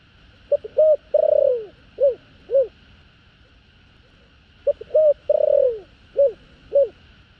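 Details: Spotted dove singing in the thổ đồng voice style with two end notes, used to lure wild doves: two phrases, each with quick short notes, a long rough falling coo, then two separate round notes, over a steady faint electronic hum.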